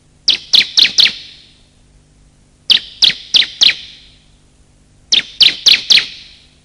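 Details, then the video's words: Bar-winged prinia lure calls, male and female: three separate bursts of four sharp, high chipping notes, each burst spaced roughly two and a half seconds apart. "pikat suara burung ciblek"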